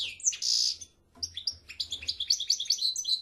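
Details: Short burst of European goldfinch song: a sweeping note into a harsh buzzy trill, a brief pause, then a quick, tinkling run of high chirps.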